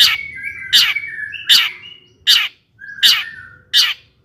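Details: Long-tailed shrike singing to provoke rival shrikes: sharp emphatic notes repeated regularly, each joined by drawn-out thin whistles between them.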